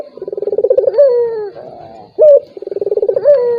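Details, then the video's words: Turtle dove call meant to provoke a rival that will not call: fast throbbing coo pulses swell into a sliding, downward coo, followed by a brief loud note before the stuttering sequence starts again. "PANCINGAN BURUNG PUTER || COCOK UNTUK LAWAN YANG MALAS BUNYI"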